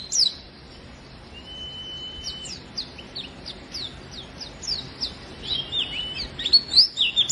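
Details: Oriental white-eye singing energetically, meant to coax reluctant white-eyes into singing. Scattered sharp, high chirps open the clip, then a sustained steady whistle. Quick notes follow and grow busier into dense twittering near the close.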